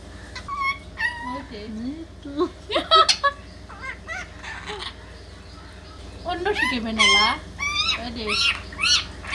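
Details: Indian ringneck parakeet talking, mixing lower, voice-like drawn syllables with sharp squeaky notes and bending, warbled phrases, ending in a loud burst of strained high chatter indoors.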